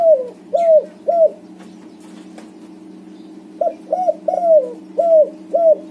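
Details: White-coloured backspot spotted dove cooing vigorously, used to prompt silent doves into singing; short, low, downslurred coo notes in two bursts of two to five, with a quiet gap between, indoors.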